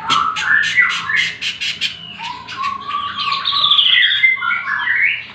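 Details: Leafbird song meant as training material for other birds: rapid buzzy chattering notes give way to long sliding whistles and overlapping warbles, lively and continuous.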